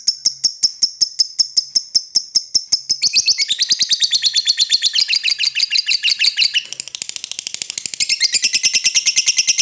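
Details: Lovebird's long choking call toward an opponent: an unbroken, rapid, shrill chatter of clipped notes lasting nearly ten seconds. Its pitch drops partway through, then climbs again near the end.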